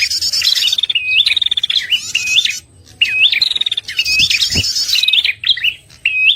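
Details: Red-headed prinia lure call used for trapping: bright, high chirping phrases of sharp upslurred notes and rapid buzzy trills, repeated in bursts with short pauses between them; no other sounds stand out.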